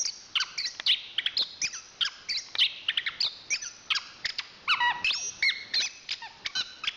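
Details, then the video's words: National champion Chestnut-capped thrush in a fast varied song: clustered whistles and chirps, some long level whistled notes and down-slurred phrases, delivered in quick bursts with brief gaps. "Suara Kicauan Burung Anis Kembang Juara Nasional"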